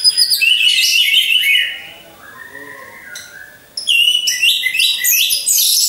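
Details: An orange-headed thrush, kept caged among others hung in a row, pours out bright, busy, high phrases, breaks into a softer lower warbling passage, then resumes loud rapid trilling.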